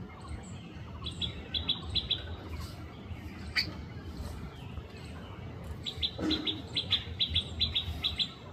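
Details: Rufous treepie feeding, giving short bright chirps in quick clusters, a burst early on and a longer run of repeated notes near the end, over low steady background rumble.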